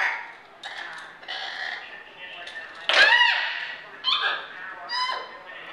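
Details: A hyacinth macaw named Kaiser, playing with others on a kitchen play area, gives harsh honking and squawking calls, with one loud rasping screech near the middle and softer throaty notes between.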